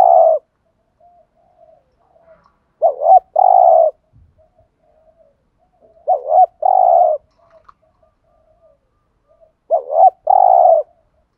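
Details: Thúc gù cooing of a spotted dove, meant to excite wild doves into answering: three phrases, each a quick warbled note and a sustained hoarse low coo, spaced about three and a half seconds apart, quiet gaps between.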